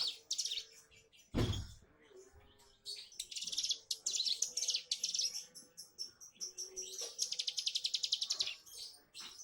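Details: Young bar-winged prinia practising its 'bren' song: sharp high chirps and rapid buzzy twitters in bursts, with a dense run of quick repeated notes near the end, one loud thud early on, and faint lower tonal sounds behind.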